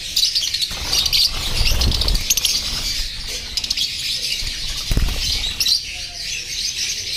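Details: Caged rosy-faced lovebirds, an orange-faced green pied and a red-headed green opaline, chirping in a dense, continuous high-pitched chatter with scattered sharper chirps and some handling thumps.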